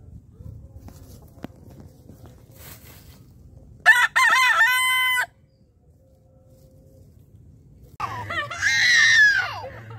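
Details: White desi rooster attacking a chick: a soft scratchy start, then a loud harmonic crow of about one and a half seconds, a quiet pause, and a harsh, rasping squawk that swells and fades near the end.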